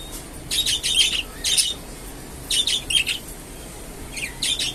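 A budgerigar warbles in quick, scratchy bursts of high chatter, broken by short pauses.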